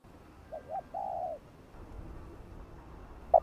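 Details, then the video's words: Spotted dove coo meant to provoke wild doves: two short soft hoots and a longer level coo, fairly quiet, followed by low rumbling background noise and a sharp brief note at the end. "Tiếng cu gáy gọi thúc gù kích mồi tập bổi, kích bổi ức chế gáy nhanh"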